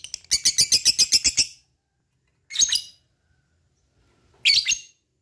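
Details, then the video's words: Lovebird in long ngekek chatter, meant to prompt other lovebirds to sing: a rapid run of about ten harsh, buzzy high notes lasting over a second, then two short separate rasping bursts after pauses. "Lovebird mana yang gak bakal nyaut bila mendengarkan ini,gacor rajin ngekek panjang"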